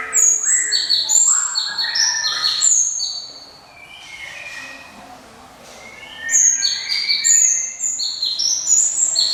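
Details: Java sparrow singing in a ringing voice: quick runs of clear, high whistled notes stepping up and down, with a softer pause midway before the bright phrases resume.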